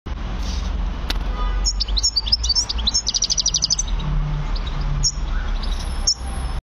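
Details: European goldfinch song: a run of high, fast tinkling twitters and trill-like notes in the middle of the recording, partly masked by a loud constant low rumble and hiss.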